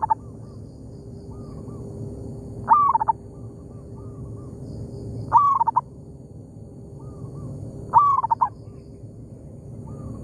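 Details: In an oil palm plantation, a local zebra dove trades calls with a decoy: three loud phrases roughly every two and a half seconds, each a sharp rising note trailing into rapid cooing pulses, with fainter answering coos in between.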